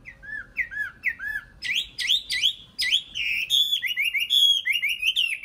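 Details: Nightingale singing: short repeated downslurred whistles, then a run of louder, sharper rising and falling notes, delivered in a fast, varied series with barely a pause between phrases.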